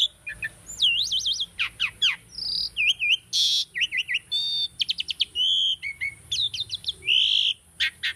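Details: Tame captive Asian starling in continuous training song: a rich, varied medley of high whistles, wavering warbles, rapid clicking trills, buzzy notes and slurred chirps, packed densely with barely a pause.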